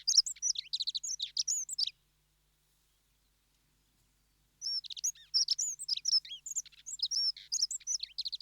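Dunnock giving fast, high, squeaky warbled phrases, a two-second burst, a pause, then a longer rambling run of thin twittering notes.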